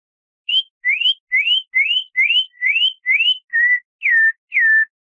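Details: Campo troupial from Brazil singing the 'classic short' song style: ten clear whistled notes about two per second, seven rising upslurred whistles, then one level note and two falling ones, in a quiet background.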